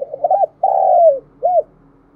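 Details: Mellow three-part coo from a spotted dove calling in the morning to attract others: choppy short notes, a sustained descending coo, and a brief rounded closing note.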